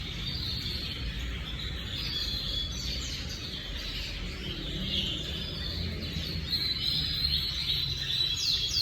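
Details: Timbrado canary, dated 25/8/25, singing a continuous rolling, trilled song held in a high band, with a steady low rumble of background noise underneath throughout.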